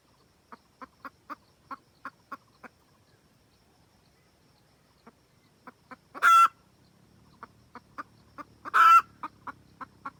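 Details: Red junglefowl hen, decoy call to attract the rooster: scattered short clucks, a quiet gap, then two loud, grating squawks surrounded by more clucking.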